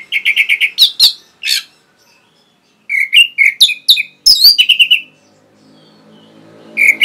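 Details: Masteran song of the orange-headed thrush, played to train caged birds: quick runs of repeated chips, sharp high notes, and warbled phrases separated by a short pause, with a faint hum near the end.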